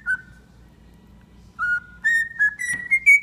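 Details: Domesticated cockatiel kept as a pet, whistling: one short note, a pause, then a series of clear whistled notes stepping higher one after another.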